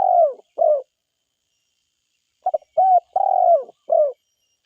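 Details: Spotted dove, a forest bird, calling: two phrases of short, hoarse cooing notes, each slightly falling, the second phrase of four notes with a longer drawn-out coo in the middle, separated by a pause of about two seconds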